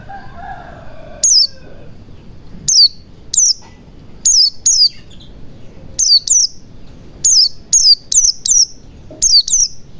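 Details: White-eye song meant as a lure so silent white-eyes open their beaks and sing: a faint lower whistle at first, then crisp, high, falling chirps in rapid doublets, growing denser toward the end.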